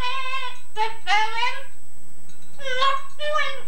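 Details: Yellow-naped Amazon kept as a household pet, imitating a woman's singing: a held, steady sung tone followed by short rising and bending notes, a brief gap, then two more tuneful syllables, recorded on old tape.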